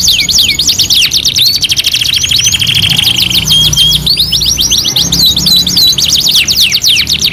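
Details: Canary master training song: dense high buzzing trills with curved whistled notes mixed in, a short flat whistle midway, and rapid rattling phrases continuing to the end with no pause.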